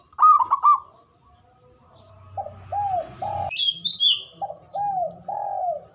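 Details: Male zebra dove giving its ngoar manggung call, used to stir mating arousal and aggression: a quick burst of staccato ringing notes, then a series of mellow arched coos, with a faint low hum behind.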